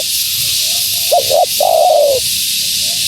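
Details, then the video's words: A single phrase from a female spotted dove calling to attract wild doves: two clipped notes followed by a long, gently falling coo, with faint coos before and after and steady hiss. "Suara Burung Tekukur Betina Gacor‼️Tekukur Liar Pasti Tak Tahan Mendengar Suara Ini"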